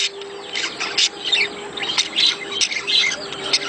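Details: Budgerigar mating calls played to push a hen toward laying: squawky, chirping high chatter. Irregular bursts rise and fall, with a faint steady low hum underneath.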